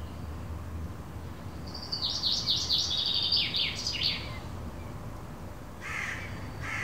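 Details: A chaffinch sings one bright phrase of about two and a half seconds, quick descending notes ending in a flourish, and a crow answers with harsh caws over low rumble; recorded on a terrace by phone, 18 May 2017, 6 pm.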